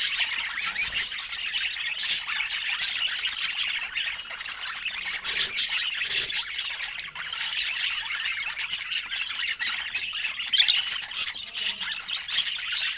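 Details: Pet budgerigars chirping and chattering continuously, a dense wash of squeaky, scratchy notes and squawks from several birds with no pauses.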